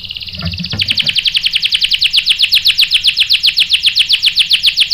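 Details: Singing canary, with a female calling as bait to rouse the male: a rapid rolling trill of downward-sweeping high notes, about four per second, starting abruptly after a short pause and holding steady throughout.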